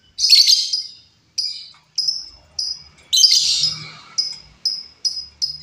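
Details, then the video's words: Wild female lovebird used as a lure: a harsh rasping burst, then evenly spaced shrill chirps roughly every half second, another rasping burst, and more clipped chirps. "suara Lovebird betina liar cocok untuk masteran ataupun pancingan"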